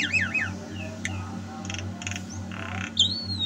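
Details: Javan myna song from 2022: looping whistled notes at the start, scattered clicks and a long clear whistle near the end, with a low background hum.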